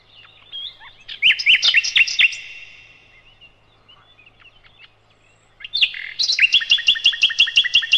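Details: Loud song of a nightingale, known locally as sikatan londo, from a master recording for teaching cage birds: a burst of varied chirps and slurred notes, a quiet gap, then a fast run of repeated bright notes.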